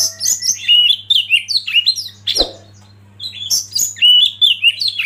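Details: Tutor recording of Oriental magpie-robin song: fast jumbled whistles and chirps, then a sharp click and a short quiet gap, then more bright, rising and falling whistled phrases, with a soft low hum throughout.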